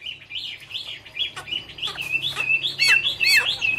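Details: Chinese hwamei (Garrulax canorus) in autumn song: softer wavering whistles alternating with sharp clicking notes and quick upward slurs, over a faint low hum.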